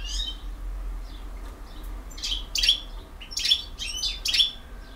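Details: European goldfinch of the Bosnian type, field-song style, delivering tinkling twittered phrases with bright slurred chirps that grow louder toward the end, in groups of about one per second.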